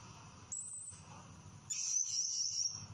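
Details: Blue-crowned hanging parrot singing, a bird used as a master for training songbirds. Its song is sharp and shrill. A brief piercing very high note is followed by a longer, wavering shrill note held over a second, against low background hiss.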